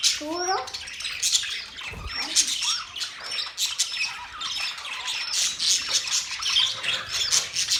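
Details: A budgie flock chirps and squawks in dense high chatter with curling whistles. A lower, stepped series of rising notes opens the passage, and a soft thump is heard around two seconds.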